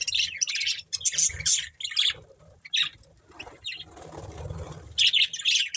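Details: Bursts of bright chirping from a breeding pair of budgerigars, with a soft fluttering or rustling stretch before the chatter resumes.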